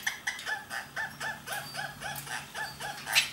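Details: A pair of rose-ringed (Indian ringneck) parakeets, a blue male and a pastel violet lacewing female, playing and flirting, give a fast string of short, nasal, harmonic squawks, about four per second, ending in a sharper squeak.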